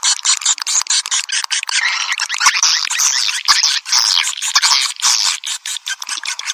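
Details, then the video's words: Swiftlet calling sound, piezo version: dense, continuous buzzy twittering with overlapping harsh chirps and scattered sharp clicks, many voices at once. "Suara Panggil Walet"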